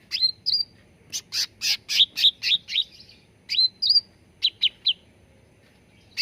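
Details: Cucak ranting bulbul singing on a lure recording meant to train birds to sing. A lively run of rapid chirps and rising whistled hooks, then short clipped notes after a pause. Faint low hum underneath.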